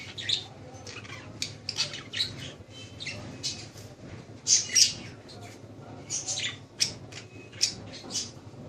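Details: Pet budgerigars kept by people in Lahore, Pakistan, giving bursts of harsh, high squawky chirps, several birds overlapping in irregular clusters, with louder peaks near the middle and end and a low steady hum beneath.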